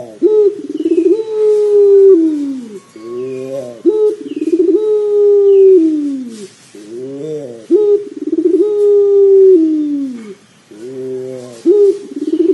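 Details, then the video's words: Pelung dove calling, used to prompt another dove to start calling quickly; long, low, drawn-out coos with warbling rolled breaks, repeated in phrases about every four seconds, clear and loud indoors. "PANCINGAN PUTER PELUNG AGAR CEPAT BUNYI"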